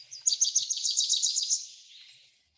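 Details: Wilson's Warbler song, notes getting a little closer together toward the end: a rapid staccato series of about a dozen high, chipping notes, accelerating, then fading into a softer buzzy tail.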